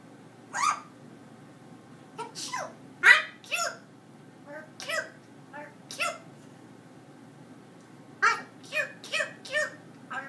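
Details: Pet parrot at home talking to the dogs: a run of clipped, speech-like syllables in short bursts, some sharp and rising, with pauses between phrases and a cluster of rapid words near the end.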